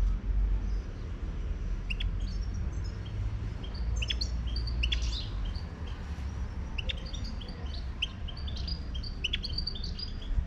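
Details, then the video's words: Wild Moroccan goldfinch song in the open: repeated clusters of sharp, high twittering chirps and short trills, coming in bursts every few seconds over a constant low background rumble. "تغريد #الحسون الخلوي المغربي"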